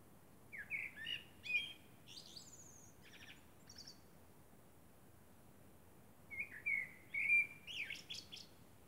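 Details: Moonlit night song of a common blackbird: two separate verses about five seconds apart, each a low, melodious whistle leading into sharp, high, buzzy twitters, with quiet between.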